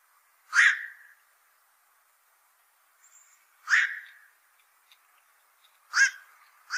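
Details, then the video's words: Hoarse, grating barks from a black-crowned night heron, a bird that raids fishponds, repeated roughly every three seconds, with faint soft chirps between them. "BLACK CROWNED NIGHT HERON CALL SOUND"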